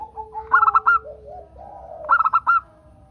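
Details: Local zebra dove song meant to prompt other zebra doves: two crisp phrases of rapid cooing notes finishing on a longer note, with softer, lower warbled calls between them.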